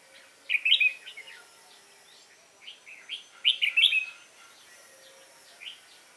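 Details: Young wild-caught red-whiskered bulbul on 22 October 2018 giving competition song: two loud rich warbling phrases about three seconds apart, joined by faint scattered chirps and a final soft note.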